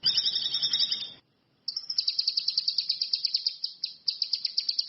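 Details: Orange-headed thrush (cucak kinoi / ranti mas) singing in the wild: a dense, two-toned warble over faint hiss, a short gap, then a long quick series of high, sharp repeated notes.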